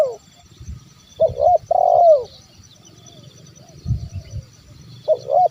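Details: Zebra dove call played to lure wild birds: a short double coo then a long note bending downward, followed by a pause with low rumbling noise before the phrase starts again.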